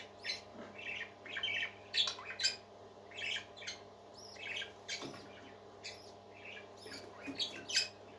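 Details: Happy parakeets singing and squawking: rough, scratchy bursts and short shrill calls repeated at an uneven, lively pace, with quieter twitters filling the gaps.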